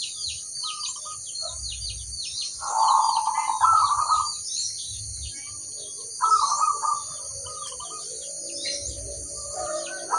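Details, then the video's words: Local crossbred zebra dove cooing: two bursts of trilled, bubbling phrases amid a constant chorus of high, quick chirps from other birds and steady hiss. "suara sang masteran burung perkutut crosing"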